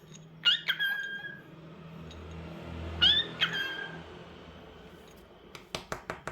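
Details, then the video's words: Indoor cockatiel giving two short squawking whistles with rising tones a few seconds apart over a low background hum, followed by a series of sharp clicks. "Adorable Cockatiel Crazy Bird 🐦 Cute Sounds n Movements 😍"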